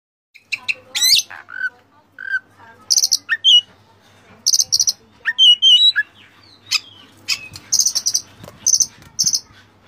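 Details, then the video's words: Oriental magpie-robin (kacer) tutor song packed with rich borrowed phrases, used to train and provoke caged birds: sharp buzzy bursts, short clear whistles and rising sweeps in quick scattered phrases, with faint low hum beneath. "masteran Kacer full isian mewah"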